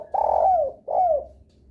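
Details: Spotted dove lure call intended to make other doves answer: two loud, husky coos in quick succession, the first long and drawn out, both sliding downward in pitch.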